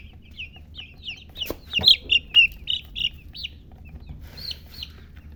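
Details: Baby chicks chirping: clear, high, thin peeps sliding downward, about four per second, with a couple of sharp knocks in the middle and a quiet low hum behind.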